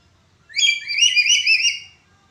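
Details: Black-capped lory uttering its broken-voiced call, meant for training other birds: a single strong, wavering whistled phrase near one and a half seconds long, rising at the start and trailing off, with light background hum.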